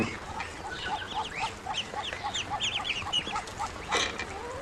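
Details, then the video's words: Hungry growing ducklings making many short, bright, downward-slurred peeps in quick succession, several birds overlapping, with a brief louder burst near the end and a low background hum. "Ducklings have grown and are making more sounds, especially when hungry"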